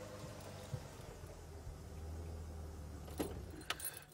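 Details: Low rumble of an idling vehicle outdoors at sunset, with a few sharp metallic jangles and clicks, and no animal call.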